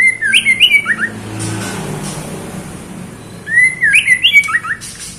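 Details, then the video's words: Female white-rumped shama calling the male: two bursts of rapid, clear whistled notes, each a quick rising-and-falling run with sharp high overtones, separated by a quiet gap with low background hum. "Murai Batu Betina Gacor Memanggil Jantan"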